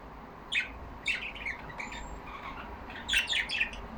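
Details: Yellow budgerigars kept as caged pets, chattering together: short separated clusters of high chirps and warbles, two busy bursts at the start and end with sparser notes between, over a steady low room hum.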